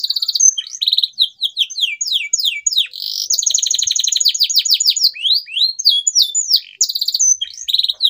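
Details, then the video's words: Continuous canary song to prompt silent birds to sing: rapid rising and falling sweeps mixed with long rattling trills, loud and unbroken throughout. "CUITAN KENARI 100% GACOR PERANGSANG KENARI BISU AGAR KEMBALI GACOR"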